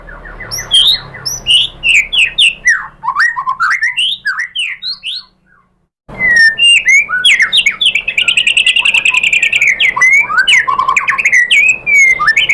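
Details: Shama song played to stir a caged white-rumped shama into answering: varied slurred whistles and chattering notes, a silent pause of about a second, then a dense rapid stream of mimicked-sounding phrases and high trills.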